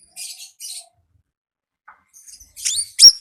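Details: Konin heard in the wild, lively singing: two soft buzzy high twitters, a pause, then a rising whistled note and a sharp loud chirp.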